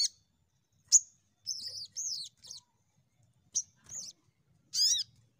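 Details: Crimson sunbird lure call aimed at getting untrained birds singing quickly. Mixed sharp high 'tsip' notes and short wavering, slurred buzzy phrases, with a soft low hum in the background.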